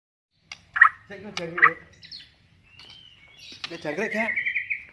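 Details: A White-rumped shama, a prized captive songbird possibly of an unusual albino or pied colour form, gives sharp chips, a clear whistle and a rich warbling run ending in a long steady whistle, with lower voice-like sounds underneath.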